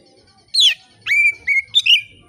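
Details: Oriental magpie-robin singing loudly yet relaxed, a song meant to provoke other magpie-robins into singing: a sharp downslurred note, a long steady clear whistle, then short rising-and-falling whistled notes.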